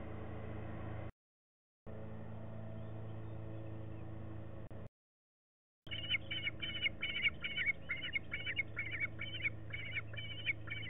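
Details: Bald eagle eaglets on a nest camera, 27 May 2016, practising new sounds: after a stretch of droning lawn mower noise with brief dropouts, a fast run of high, thin chittering notes repeats several times a second.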